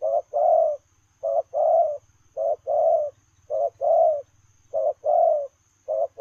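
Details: Running spotted dove giving 'lèo rồng' style coos: a clipped note followed by a fuller, longer hoarse coo, the pair repeated roughly every 1.2 seconds in an even rhythm, on a quiet background.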